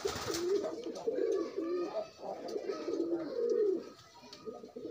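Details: Pigeons pairing up while loose rather than caged give low, rolling coos, several overlapping phrases rising and falling across the whole stretch, with only a short lull near the end.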